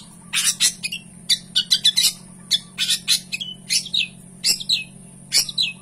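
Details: Long-tailed shrike gacor song rich in fill-in phrases: harsh squawking bursts mixed with quick whistled slurs, coming in clusters separated by short pauses, and a low hum throughout.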